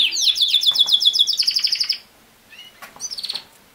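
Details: Singing canary used as a model for teaching a young male to sing: a quick, even trill of repeated chirps for two seconds, a pause, then a few short high notes.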